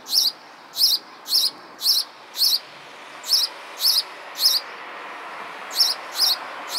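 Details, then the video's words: Sparrow song as a run of about eleven clipped, high chirps in quick succession, briefly pausing twice before resuming at the same steady pace. "Song of sparrow"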